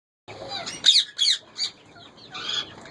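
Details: A breeding pair of captive parrots, recorded mating before the season's second clutch, give harsh, screechy squawks in short bursts: a pair close together, another single call, then a longer rasping call near the end.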